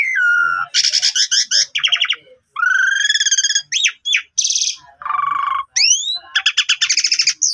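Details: Asian pied starling lure song for getting a stalled starling to sing again, full of sliding whistles, rising glissandos, harsh rattling bursts and low buzzy notes, delivered in a fast, mixed sequence.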